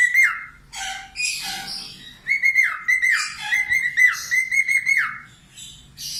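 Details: Budgerigar singing vigorously, meant as tutor song for cockatiels: scratchy chatter and squeaks give way to a rapid series of short whistled notes that each drop in pitch, repeated about twice a second.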